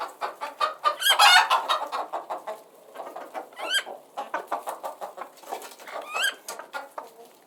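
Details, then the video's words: Several chickens making steady background clucking and chattering, with short harmonic clucks repeated rapidly and overlapping, plus a louder squawking burst early on and a few rising squeaky notes; several birds calling at once, no other sounds. "Relaxing Background Sounds of Chickens"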